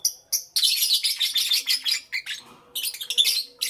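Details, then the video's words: Lovebirds in the morning chatter in dense bursts of shrill, high chirps and squeaky twitters, packed closely with brief pauses; a faint low hum runs beneath. "Lovebirds Chirping Sounds"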